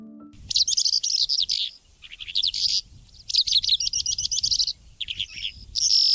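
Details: Calandra lark pours out an intense, varied, very long song: fast, high, jangling scratchy trills, chirps and mimicked notes in bursts with barely a pause, with faint background music underneath.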